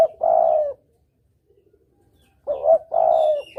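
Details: Spotted dove hunting lure call in the double-kuk style, with a long soft coo, a quiet pause, then a short note and another stretched mellow coo.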